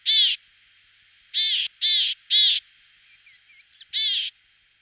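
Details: Willow tit, subspecies montanus, calling with repeated hoarse, nasal, buzzy notes spaced about half a second apart, broken by a cluster of thin high chittering notes before a final buzzy call.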